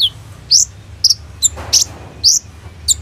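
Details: Kolibri ninja sunbird in gacor song style, recorded on an Oppo A37f phone as a lure for training other birds: sparse, sharp high chirps and short downslurred notes spaced about half a second apart, over a faint low hum.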